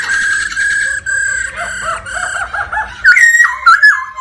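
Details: Black-throated laughingthrush, a cage bird, singing and displaying with female 'ro ro' calls that stimulate the male. Long, steady, buzzy-harmonic notes run for about three seconds, broken by short slurred notes, then sharp rising-and-falling whistled phrases at the end.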